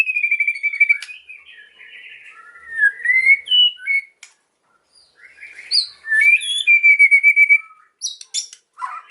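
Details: White-rumped shama singing a varied string of clear whistles, slurred rising and falling notes and short chattering bursts, with brief silent gaps between phrases.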